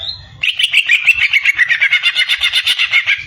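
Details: Greater green leafbird (cucak ijo) opens with a short steady whistle, then pours out a loud, fast, even trill of around twenty rapid buzzy pulses without a break.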